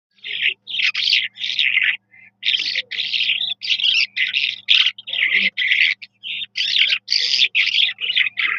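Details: Eurasian skylark, locally called jal mashadi, pouring out a continuous song of rapid buzzy, chirping phrases in short bursts with brief pauses, steady and high-pitched throughout, over a faint low hum.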